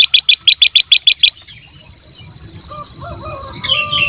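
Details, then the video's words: Energetic black-crested bulbul song, used as a master recording for other birds to learn. Eight crisp, evenly spaced chirps follow each other quickly, then insect buzzing and soft distant bird notes take over. "kutilang emas gacor buat masteran burung lain"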